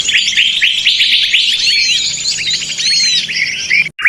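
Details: A noisy mix of small birds used for lure trapping: constant high twitters with drawn-out slurred whistles, cut off abruptly near the end.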